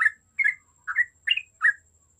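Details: Yellow-vented bulbul in lively song meant to draw out flock-style 'ombyokan' singing: five separate short, rich chirping notes spaced about a third of a second apart, with a faint high steady tone behind.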